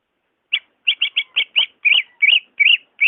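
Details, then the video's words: Bright, clipped whistles from a greater green leafbird, offered to stir a caged bird that will not sing: short, even chirps speeding into longer slurred notes, about ten in three seconds, with nothing else audible. "MP3 SUARA ASLI BURUNG CUCAK IJO II cocok buat pancingan ijo malas bunyi"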